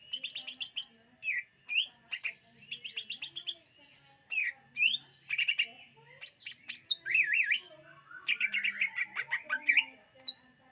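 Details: Greater green leafbird singing in a recording made to lure birds: a varied, lively medley of high chirps, quick rattling trills, rising slurred whistles and zigzag phrases, delivered in bursts with short pauses.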